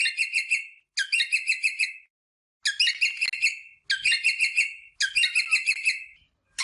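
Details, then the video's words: Rosella calling, used to prompt breeding: five separate bursts of fast, harsh trilled chatter, each lasting about a second, with short silent gaps between them. "صوت طائر الروزيلا للتحفيز على التزاوج"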